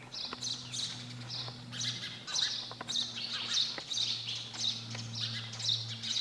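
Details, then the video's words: Rapid, busy sparrow chirping, many short high tweets packed closely together, a little louder, with a steady low hum in the background. "Sound of sparrow bird"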